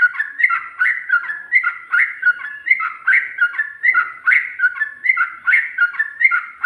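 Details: Sooty-headed bulbul in ropel song, ngikluk style with a garuda phrase: full, rounded whistled notes in a fast, even run, each note a quick down-up slur.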